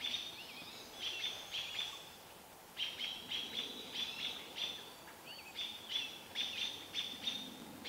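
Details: Several American robins harass a barred owl near Vancouver with alarm calls: clusters of sharp, high, clipped notes come in rapid runs, with a brief lull near the middle, over soft outdoor hiss.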